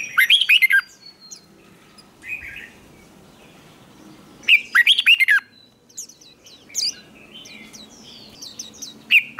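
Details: Red-whiskered bulbul in training for competition singing repeats a loud, lively warbled phrase of quick rolling notes several times, with shorter chirps and squeaky notes from nearby birds between phrases.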